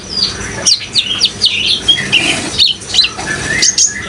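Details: Brown-throated sunbird in prolific song over flowing water: rapid twittering chirps and warbled whistles shifting in pitch, with a few longer lower slurred notes, backed by continuous water hiss.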